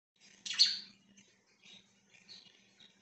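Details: Pet budgerigars recorded 24 September 2024: one loud, harsh, broadband chirp rises sharply, then fades into soft, scattered twittering notes across the rest of the short stretch, with a faint low hum beneath.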